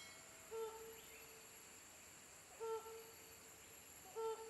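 Helmeted hornbill giving three short, hollow, mid-pitched hoots spaced about two seconds apart, over a steady high whine of insects.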